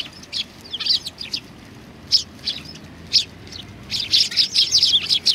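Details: Sparrows approaching for food at a Tenmangu shrine on 25 November 2020 give scattered single high chirps. These build into a dense, excited run of overlapping notes in the last second and a half.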